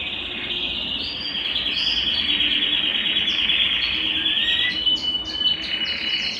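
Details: Belgian canary singing, a song played to warm up and stir a cold, silent canary into singing: a long continuous rolling trill held at a high pitch, with short sweeping notes and chirps layered above, steady and loud throughout.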